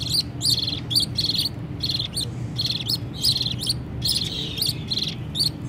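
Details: Parakeet chicks begging their parents for food during feeding by the mother: bursts of hoarse, buzzy chirps in short groups with brief gaps, fairly loud, low hum in the background.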